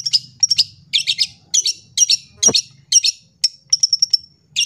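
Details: Long-tailed shrike singing a full, clear song used to train young birds: bursts of scratchy chattering notes mixed with thin, high whistles in quick succession, with one sharp click midway and quiet low background hum.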